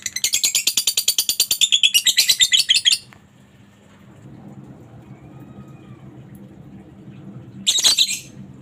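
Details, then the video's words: Lovebird chatter used to stimulate other lovebirds into singing: a fast, harsh run of high squeaky chirps for about three seconds, then a quiet pause with low hum, and a short final burst of squawky notes. "suara Lovebird ini Joss buat pancingan Lovebirdmu agar cepat ngekek , pastinya jadi rajin bunyi"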